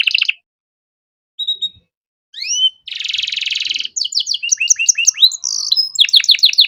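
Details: Canary tutor song in an elaborate ornate style: a short trill, pauses, rising slurred whistles, a long dense buzzy rattle, then bright rapid sweeping phrases repeated several times a second.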